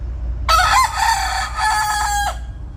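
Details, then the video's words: A city rooster gives one loud, harsh crow of about two seconds, rising in pitch and then drawn out, over a low steady hum. "More Crowing from this Handsome Guy, City Rooster Crowing"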